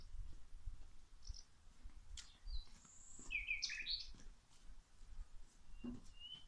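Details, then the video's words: Birds chirping while plants are watered: a short cluster of high, bright twitters in the middle, amid steady low background noise and light tapping sounds. "the birds singing"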